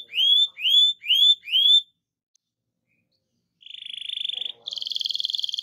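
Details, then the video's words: Canary song meant to make other canaries sing: four upward-sweeping whistled notes, a pause, then a buzzy rolling trill and a faster higher trill. "RANSANG BURUNG KENARI CEPAT BUNYI GACOR DENGAN SUARA KENARI GACOR NGEROL INI!"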